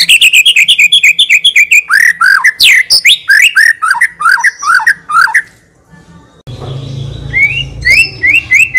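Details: White-rumped shama delivering long 'tembakan' bursts: a rapid stream of repeated chirped notes flows into sweeping slurred whistles. A short pause follows, then a few upslurred whistles over a low background rumble.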